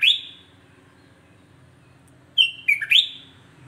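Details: Sooty-headed bulbul, whose song is said to provoke other bulbuls: one sharp chirp, a pause, then a quick cluster of three bright notes sliding down and back up.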